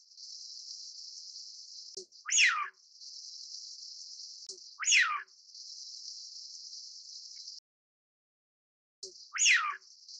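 A Eurasian wigeon gives three loud, clear whistles that drop steeply in pitch, spaced a few seconds apart, over a steady high hiss.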